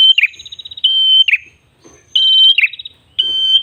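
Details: Red-headed tailorbird (prenjak kepala merah), gacor ngalun song for luring: long level piercing whistles alternating with buzzy rattling trills, each phrase under a second, separated by short gaps.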